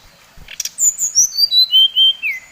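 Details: Bali-type brown-chested jungle flycatcher giving a song that stirs up other birds of its species: a quick sequence of pure whistles dropping step by step from high to lower pitch, closing on a down-slurred note.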